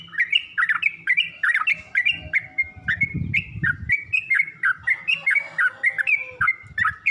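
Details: Yellow-vented bulbul song in a recording meant to train other bulbuls to sing. Short whistled and gurgled phrases repeat briskly, some rising at the end, with a low rumbling noise around the middle.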